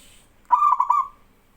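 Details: Male local zebra dove in full song, urging trainee doves to call back; one brief phrase of four rapid stuttering notes blending into a rolling coo that fades out.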